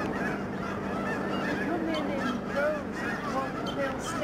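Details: Huge flocks of snow geese flying and swirling down at George C. Reifel Migratory Bird Sanctuary, Alaksen National Wildlife Area, Delta, BC, Canada, Fraser River estuary, 24 March 2011: a dense, continuous chorus of overlapping nasal honks from many birds.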